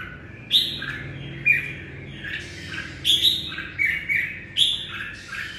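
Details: Song of a red-whiskered bulbul greeting the morning, sharp whistled notes and chattering phrases in irregular bursts, some harsher, with a low hum beneath.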